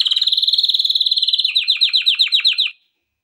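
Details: Trained-song recording of a male canary: a fast, even, high rolling trill that slows into distinct downward-sweeping notes about ten per second, stopping abruptly before a short silence.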